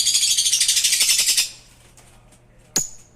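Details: Pair of African lovebirds; a fast run of harsh rattling chatter repeated about three times a second for a second and a half, then quiet and a single sharp high squeak.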